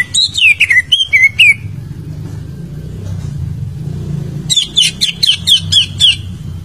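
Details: Whistled greater green leafbird song meant to coax a quiet bird into singing: a run of descending slurred notes, a gap of low background rumble, then a rapid series of bright, evenly spaced chirping whistles.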